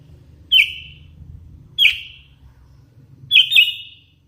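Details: Sooty-headed bulbul: four short, clear whistled notes with sharp attacks and brief level tails. The first three are spaced about 1.3 seconds apart and the last two come close together, over a faint low hum.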